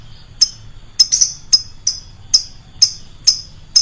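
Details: Loud-voiced lovebird heard as a lure sound, giving steady sharp high chirps roughly twice a second, some doubled into quick pairs, over a quiet low hum.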